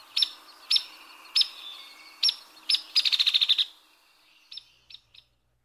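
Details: Hairy Woodpecker calling: five sharp peek notes at uneven intervals lead into a fast, steady-pitched rattle of roughly ten notes, trailed by a few fainter, softer peeks as it fades.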